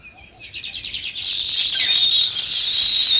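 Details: Rapid, pulsed sparrow chirps quicken and merge into a steady, intense high chatter that fills the rest of the recording.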